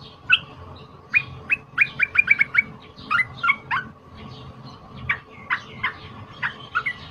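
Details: Trapped cream-vented bulbul giving a loud fighter song for training other songbirds: a quick run of clipped whistled notes, then spaced sharp chirps and short downward-sliding whistles, with a low background rumble.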